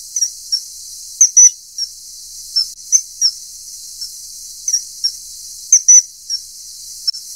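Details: High, thin whistles from a common kingfisher feeding a young bird, sharp single notes and clipped double notes scattered every second or so against constant hiss.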